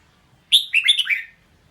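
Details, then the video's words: Melodious burst from a red-whiskered bulbul: one sharp high note followed by several liquid, down-slurred notes in quick succession, lasting under a second, over a quiet background. "เสียงร้อง นกกรงหัวจุก"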